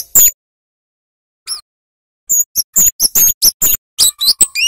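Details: Flowerpecker, locally called cabe-cabean or kemade, singing loudly for use as a tutor recording for small songbirds: very high, thin, sharp ticking notes, a few isolated at first, then a rapid run of about ten clipped chips over two seconds.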